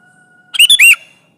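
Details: Sooty-headed bulbul, a prolific singer, calling to press a rival and used as a lure for trapping: one loud, harsh chattering phrase of three quick clipped notes, the last sliding up and down, over near silence.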